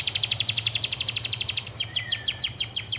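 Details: A canary on a training master in the church filler style delivers a quick, even trill of high repeated notes, then slower emphatic downslurred notes and a long low whistle, over a constant low hum.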